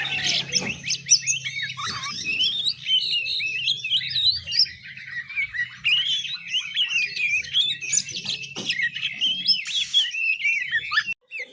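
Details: Juvenile oriental magpie-robin learning to sing, giving a long, unbroken ngiriwik warble of high chirps, scratchy notes and looping whistles, with occasional sharp clicks and a low background drone.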